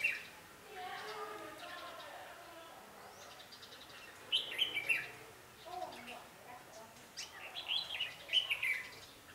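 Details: Red-whiskered bulbul used as a decoy to lure wild birds for trapping, recorded 11 November 2016; short bright warbled phrases, two clear bursts in the second half, with faint human voices earlier.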